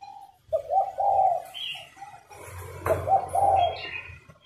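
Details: Female spotted dove cooing to stimulate males to sing: soft, low, hollow coos in two short phrases, with a few higher chirps from other birds in the background.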